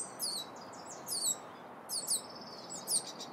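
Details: High whistled peeps from young wild turkeys in California's Sierra foothills, each note sliding downward, with paired bursts roughly once a second and a faint steady wash of ambient noise beneath.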